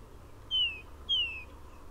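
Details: Tufted Titmouse song in a southern Maine backyard in the second half of March, early spring: two loud, clear down-slurred whistles about half a second apart ("cheer cheer"), audible even at long distance, over a faint low rumble.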